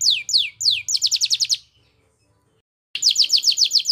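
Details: Canary singing vigorously ('gacor') in the fancy 'cengkok mewah' song style: a row of high downward-slurred whistles runs into a fast rolling trill, breaks off for over a second of silence, then the quick trill resumes. A faint low hum sits underneath.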